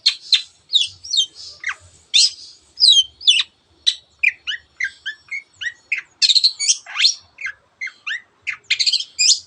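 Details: Long-tailed shrike song meant to spur other birds to sing: a rich, varied medley of high sharp whistles, chips and rattling phrases, with some fast bursts of scratchy notes.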